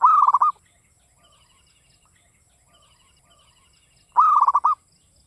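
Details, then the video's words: Local Javanese zebra dove singing in the classic Mataram rhythm style: two short cooing phrases about four seconds apart, each a quick run of clipped, stuttering notes on one mid pitch. Quiet background between phrases. "PERKUTUT LOKAL GACOR cuman hitungan menit nyaut SUARA GARING"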